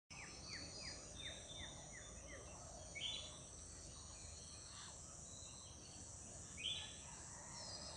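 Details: An Indian golden oriole on the bank of the Torsha river, Cooch Behar, gives a quick run of short, down-slurred notes, then two brief bright notes a few seconds apart, over a steady insect drone.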